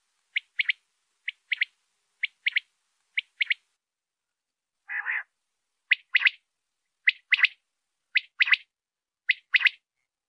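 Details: Quail call used for night hunting, sharp clipped notes in pairs and triplets repeated steadily, with one softer buzzy burst midway and otherwise a silent background.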